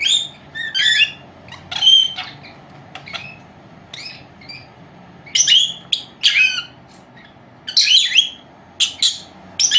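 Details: Two 4-month-old female lovebirds (Agapornis) napping indoors, which mimic taught words, whistles and kisses, give short, shrill chirps and squeaky twitters in scattered bursts every second or so, with a faint low hum.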